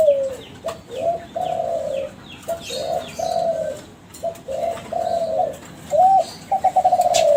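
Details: Captive young Kelantan spotted dove of champion breeding, a lure recording meant to prompt other doves to respond: a series of low, mellow paired coos in a steady phrase, ending in a looping hoot and a quick stuttering trill; faint bird chirps behind.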